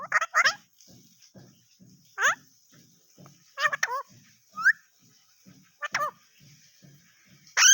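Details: Pet parrot speaking Urdu/Hindi: scattered short, raspy voice-like utterances and a brief rising whistle separated by pauses, with a soft regular ticking in the background.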